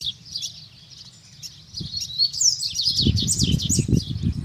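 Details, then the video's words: Double-collared seedeater singing in nature: a fast, high twittering warble of rapid notes, with low rumbling noise growing louder in the second half. "COLEIRO CANTANDO NA NATUREZA"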